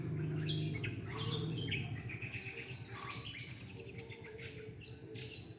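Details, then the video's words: Morning bird chorus in a residential neighbourhood: several birds overlap with busy high chirps and twittering phrases, over a steady low rumble and a constant high electrical hum. "Ramainya kicauan burung"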